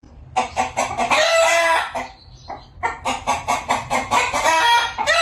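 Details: Rooster on a village farm: a drawn-out harmonic crow is mixed into bursts of rapid, repeated clucking pulses. The clucks come in a quick run before and after a short lull.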